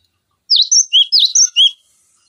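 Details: Cinereous tit song serving as a tutor recording for other songbirds: one short, clear phrase of about six high whistled notes, each sliding down and up sharply in quick succession.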